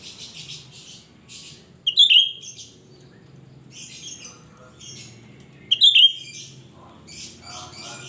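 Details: Shrill cucak rante song meant as a lure for wild birds of its kind: two loud, piercing slurred bursts about four seconds apart, with softer scratchy chatter and a low steady hum between them.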